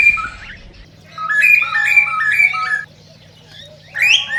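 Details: Cockatiel whistling for breeding stimulation: a quiet start, then a clear staircase of repeated whistled notes stepping up and down, a pause, and a final rising squawked whistle.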